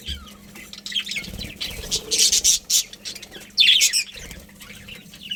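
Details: A budgerigar colony chatters in dense, rapid bursts of high, scratchy chirps, loudest around the middle and again near the end, with a low background hum throughout.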